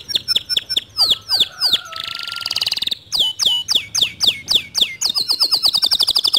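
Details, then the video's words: Canary singing varied phrases to coax a lazy canary into song: sharp downward-swooping notes, a buzzy sustained trill, lower sliding whistles, and a closing fast rolling trill of high notes. "Memancing Emosi Kenari Malas Bunyi Agar Ikut Gacor Dengan Kicauan Kenari ini"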